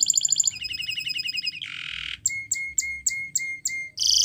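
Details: Spanish Timbrado canary training song: a quick metallic trill, then a dense buzzy burst, followed by a row of clipped ringing notes about four per second and a final bright rattle.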